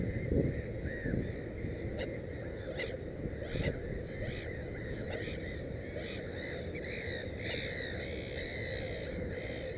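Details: Black-headed gull at its nest with three chicks, giving short arched harsh calls, sparse at first and then more frequent in the second half, over a steady low rumble of wind or background noise.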